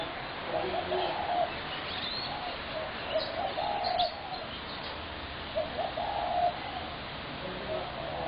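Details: Spotted dove recorded 21 January 2017, delivering soft low two-part coos in loose series, pausing between phrases, against steady background hiss and a few distant high chirps.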